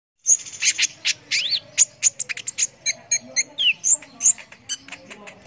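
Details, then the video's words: Sunbird (kolibri ninja) singing persistently, as used for tutoring competition birds: very high, rapid chirps and thin whistles, some sliding up and down, about three notes a second. "KONIN GACOR"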